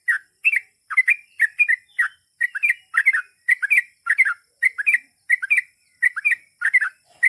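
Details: A long ropel panjang sequence from a gacor sooty-headed bulbul: quick bubbling phrases of cheerful rolling chirps, repeated almost continuously at an even pace over several seconds, with a quiet background.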